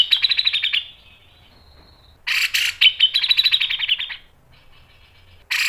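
Grey-cheeked bulbul gives loud, rapid chattering bursts of high, harsh notes, fast runs separated by short pauses, with little else audible.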